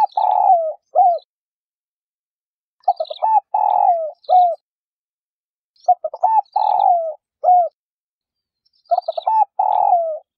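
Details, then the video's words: Female spotted dove calling to stir males into cooing: four phrases about three seconds apart, each a few short stuttering notes, a long burry descending coo, then a short slurred final note. Clean, quiet background. "chim cu gáy mái thúc bổi kích trống gáy"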